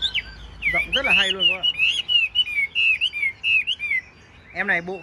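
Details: Tame caged Chinese hwamei with a golden-yellow bill and large body; loud clear whistled phrases with rolling up-and-down slurs, broken by two lower harsh nasal notes from a person or bird, with brief pauses between phrases.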